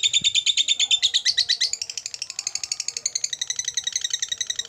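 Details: Long 'ngekek panjang' chatter from a kept lovebird. Rapid, buzzy high-pitched pulses start dense and strong, then speed up into a thinner, quicker rattle that keeps going without a break.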